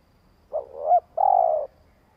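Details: Spotted dove decoy bird giving a long coo meant to provoke wild doves into calling: a short two-part warbling coo followed by one steady, drawn-out hum, low and mellow, against a quiet background.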